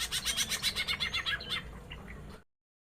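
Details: Greater green leafbird in a small aviary, a female answering a male while papaya is fed; a fast series of about fifteen harsh, rhythmic chattering notes that slows and fades before stopping.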